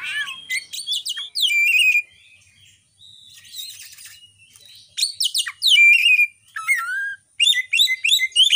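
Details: Oriental magpie-robin (kacer) lure song, played to excite captive birds and start silent ones singing, recorded on a Realme phone; loud varied whistled phrases, steep sweeping notes and rapid chirps in bursts, with a brief quiet gap midway.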